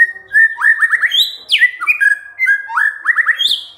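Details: White-rumped shama singing to provoke other birds into song: rich whistled phrases around mid pitch, quick rising slurred notes in rapid runs, then a sharp upward sweep and a high clear whistle near the end.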